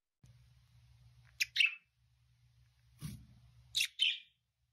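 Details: A budgerigar gives soft, high chirps in two brief clusters, quieter than chattering, like sleep-talking: a drowsy bird winding down while feeling safe.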